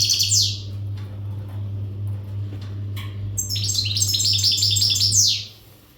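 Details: Untutored Western goldfinch in readiness song: a brief falling twitter at the start, then a quiet stretch with clicks, followed by a dense run of rapid jangling high trills, all over a strong low mechanical hum.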